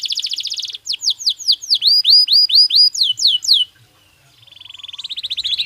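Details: Belgian canary singing naturally: a buzzy high trill opens, then varied whistled sweeps, some rising and some falling, run briskly before a short gap and a soft trill swelling in at the end.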